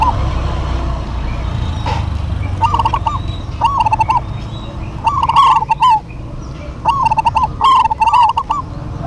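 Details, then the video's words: Local zebra doves singing a lively duet: after a few quiet seconds, bursts of short, rapid, arched cooing notes repeat in rolling phrases, some overlapping, over steady low rumbling background noise. "DUET PERKUTUT LOKAL GACOR"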